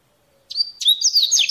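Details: Double-collared Seedeater, locally coleirinho, singing the mateiro song in the wild: a short, high whistled note followed by a dense tumble of fast sweeping chirps.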